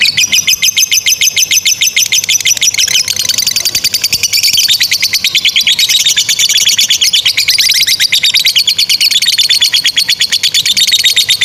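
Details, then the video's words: Long unbroken 'ngekek' trill of an actively singing lovebird, meant to teach young or non-singing birds. Dense, shrill chattering pulses pour out for over eleven seconds, with pitch wavering up and down in waves. "GACOR SUARA 16a love bird ngekek PANJANG INI Cocok untuk Masteran love bird paud dan Macet"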